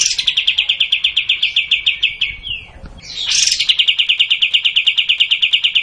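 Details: Kapas tembak, the sooty-headed bulbul, delivering its long 'tembak' song. A dense machine-gun string of bright repeated notes is broken by a short slurred whistle, then resumes at the same fast, steady pace to the end.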